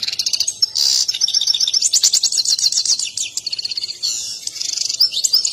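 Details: Excited European goldfinch singing a breeders' favourite mating song while dancing; an unbroken stream of high, rapid tinkling twitters, buzzy trills and fast rattled note series throughout.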